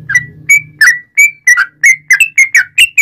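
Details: Sooty-headed bulbul song for prompting other bulbuls to call: a string of ten clear whistled notes, some falling and some rising, over a low faint hum.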